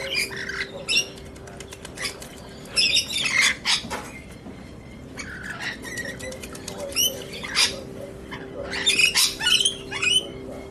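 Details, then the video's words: Two rainbow lorikeets sharing a drink, giving bursts of harsh, high screeching squawks and short chirps in scattered clusters, with quieter gaps between them and a steady low hum in the background. "These 2 Rainbow Lorikeets Sharing a Drink"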